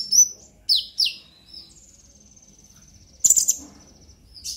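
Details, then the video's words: Purple-throated sunbird (konin), a brown-breasted young bird in the ngobra emosi style, used to prompt untrained birds to sing: a few sharp high chips, a long thin sustained whistle, then a brief loud burst of twittering. "Pancingan KONIN Bahan agar GACOR NGOBRA EMOSI - Purple Throated Sunbird"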